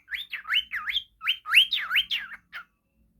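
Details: Budgerigar kept as a pet, whistling nonstop for a training recording: a rapid string of bright, looping whistled notes swooping up and down, about a dozen in under three seconds, then silence.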